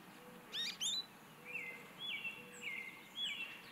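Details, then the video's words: An American goldfinch sings in an Eastern Red Bud tree: a rambling run of bright, high twitters and slurred notes, then several thin, buzzy drawn-out phrases, over a quiet outdoor background. "American Goldfinch singing"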